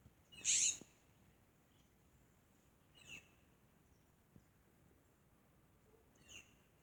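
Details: Birds chirping in a garden: one sharp, high chirp near the start, followed by two faint short chirps a few seconds apart against a quiet background.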